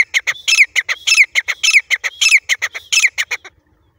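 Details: Grey francolin from Layyah, with chicks: loud, harsh, repeated squawking notes in a rapid rhythmic series of about two per second, each burst with a bright upward-sliding whistle, stopping abruptly after three and a half seconds.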